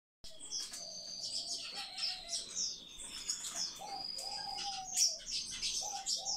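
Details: Several rescued Common Chaffinch nestlings give dense, overlapping high chirps and thin squeaks, with lower drawn-out whistled tones breaking in now and then.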